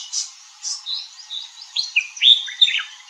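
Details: Red-whiskered bulbul giving a string of short, slurred whistled notes, some rising and some dropping, rather irregular and quickening toward the end.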